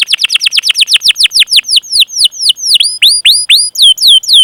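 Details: Vigorous canary 'cuit cuit' calls meant to stimulate other canaries into song: a steady series of sharp downslurred whistles, about four per second, gradually spacing out and lengthening.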